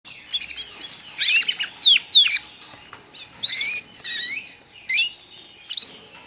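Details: Newly arrived young white canaries give bursts of high, thin chirps and squeaky notes, several quick calls at a time with short pauses between, over a quiet background.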